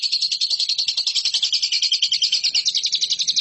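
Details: Competition lovebird singing a rapid rattling trill of high, chirping notes, about seven per second, steady and unbroken throughout.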